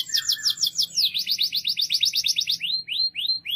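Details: Canary singing loudly, a fast run of high repeated trills sliding down, then a slower series of rising whistled sweeps repeated about every quarter second.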